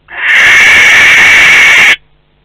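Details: At a Théding nest box in France on 12 May 2020, a barn owl of a visiting pair gives one drawn-out harsh hissing screech lasting nearly two seconds, then silence.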